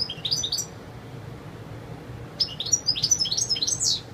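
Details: European goldfinch in pure wild song: a short twittering phrase, a quiet gap of nearly two seconds, then a longer, louder run of fast, high, jangling notes rising at the close; low hum beneath.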